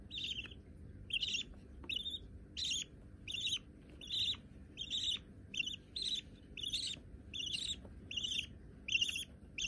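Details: Budgerigar chicks, possibly both white, calling in a rapid series of high raspy chirps, about one or two per second, steady and insistent, over a low indoor hum.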